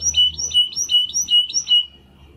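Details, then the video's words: Two young Timbrado canary brothers, born in the second breeding of 2020 and kept as pets, try singing for the first time after their first molt: five quick repeated two-part notes, a bright high note dropping to a steadier whistle, then fading. "Two Canaries Brothers - Canary training song"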